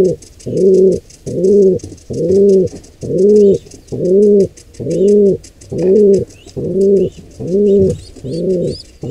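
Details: Wild pigeon nest with a squab under attack from an intruding pair; a steady run of deep, hollow coos, each about half a second, repeated at an even pace near once per second, with faint high ticking and scratches behind.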